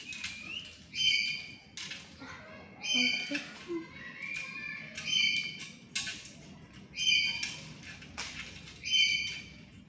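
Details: Harsh ringing squawks repeated roughly twice a second-and-a-half from a tame black-capped lory, a vocal bird that also talks, with faint lower chattering notes between calls.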